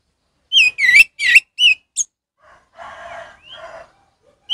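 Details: Orange-headed thrush in ngeplong style, a recording meant to train captive birds that have gone quiet: five quick, sharp whistled notes that bend up and down, then two longer rasping, buzzy phrases, ending on one more whistle.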